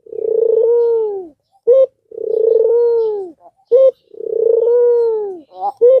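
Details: An albino Barbary dove, used to stimulate doves that are reluctant to call, gives a long, low, rolling coo followed by a short clipped note. The phrase repeats about every two seconds, with nothing else heard.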